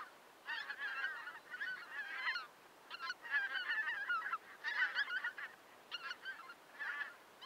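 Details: Lesser white-fronted geese near Pasohlávky, South Moravian region, Czech Republic, 29 December 2022, giving high, squeaky yelping calls in quick chattering bursts, several birds overlapping with brief pauses between volleys.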